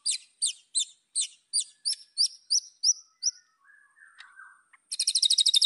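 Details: White-rumped shama singing to provoke rivals: about ten evenly spaced high downslurred notes, a soft lower warble, then a fast high rattling trill.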